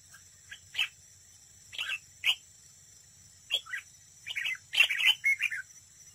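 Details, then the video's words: Decoy red-whiskered bulbul singing competitively at a trap. It gives short, chirpy, warbling phrases separated by brief pauses, and the phrases grow denser toward the end over a constant high hiss. "Cận cảnh chào mào mồi đấu bẫy, hót đấu"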